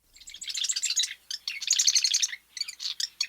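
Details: Marsh Wren song from a Canadian prairie marsh: three quick, squeaky, gurgling rattles about a second each, slightly buzzy at the start like an intake of breath, with short gaps; the song varies even within one individual.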